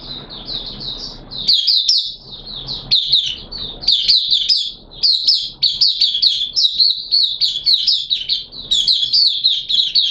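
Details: Kept oriental white-eye in full opening song, wet weather, 6 September 2022: a long, unbroken stream of high, sweet, jumbled chirps and warbles, rapid and lively, faint hum underneath.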